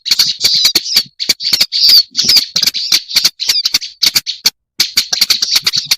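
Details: Black-browed reed warbler, recorded as a lure sound for attracting birds: a dense, harsh chattering of scratchy high notes broken by sharp dry clicks, pausing briefly several times.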